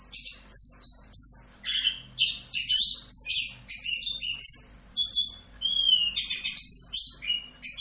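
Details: Orange-headed thrush song in the full 'Rock'n Roll' tutor style: a continuous, fast medley of high whistles, rattles and downward slurs, including a clear descending whistle near the middle, with a quiet hum underneath.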